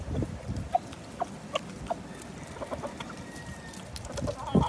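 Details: Chickens at feeding time on a gloomy day: soft, short clucks spaced about half a second apart, then a louder burst near the end, with low rumbling background noise.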